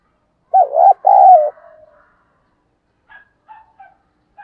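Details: Spotted dove calling in the driving 'thúc' style, used as a lure to draw wild doves in: one low, throaty two-part coo, a short note then a longer wavering one, followed by faint soft notes.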